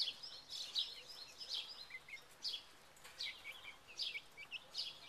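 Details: Buff Orpington chicks of a second generation, caged together and moving about in May 2011; high chirping peeps in loose bursts about once a second, some softer trilled notes between them, against light background hiss.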